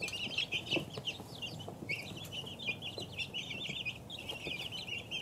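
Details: Two-week-old chicken chicks peeping together: a busy chorus of thin, high, wavering cheeps overlapping continuously, with faint low rustling and scratching below.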